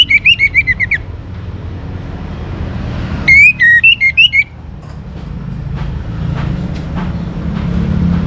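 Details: From Singaraja, North Bali, a young orange-headed thrush sings to coax other birds into song. A quick chattering string of whistles is followed by a second varied whistled phrase. Steady low rumble throughout.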